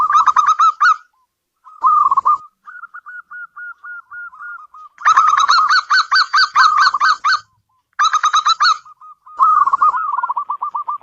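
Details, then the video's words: Repeated phrases of a local zebra dove: loud ringing cooing bursts alternating with quieter strings of soft, evenly spaced notes, separated by brief silences. "Suara burung perkutut lokal pembawa rezeki dalam rumah"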